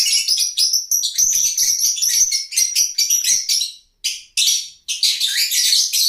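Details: Lovebirds giving a dense run of shrill, high chirps in fast overlapping bursts, with a few abrupt breaks and short silences near the end before the chattering resumes.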